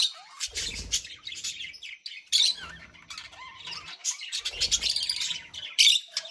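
Budgerigars chatter with rapid, scratchy warbles and sharp squawks, mostly high-pitched.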